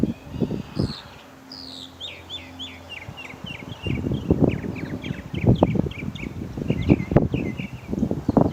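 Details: Bird heard in a garden during tilling, said to mimic many other birds and to keep going nonstop; a run of short, high, down-slurred chirps repeated roughly twice a second over low rumbling and rustling noise.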